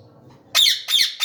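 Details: Harsh, loud screeches from an Indian ringneck parakeet, red-beaked with yellow wings and long tail, flying: two strident rasping calls and the start of a third after a quiet pause with faint low murmur.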